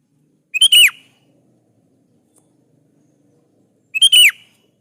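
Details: Sooty-headed bulbul (kutilang) song used to call out rival bulbuls: a crisp whistled phrase with a short lead-in and a falling, ringing slur, repeated once after about three seconds of quiet.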